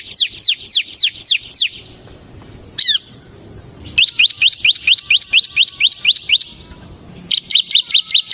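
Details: Ciblek semi, bar-winged prinia, singing ngebren gacor as a lure for training birds: bursts of rapid, steeply falling high chirps separated by silent gaps and a single buzzy note.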